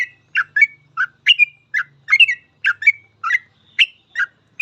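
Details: Sooty-headed bulbul in rapid 'full ropel' song, used as a master for training other bulbuls: a continuous string of chirpy, warbled whistles, some paired, over a faint low hum.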